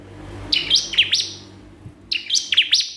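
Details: Two short bursts of piercing, downslurred chirps from a bar-winged prinia calling a rival, over a steady low hum.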